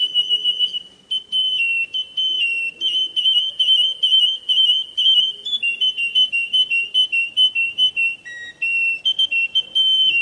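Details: Russian canary delivering a rolling whistled song: rapid pulsed bursts of pure tone, roughly two per second, alternating with longer held notes and a short lower dip.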